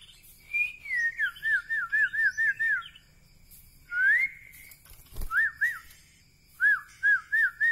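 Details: White-rumped shama, Medan Bahorok type: a series of evenly spaced, looping whistles, a rising sweep, a short click, then more wavy whistled notes in short runs.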